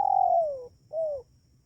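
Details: Spotted dove call used as a lure for wild doves: one long smooth coo gliding downward, followed by a shorter coo that also drops at its end.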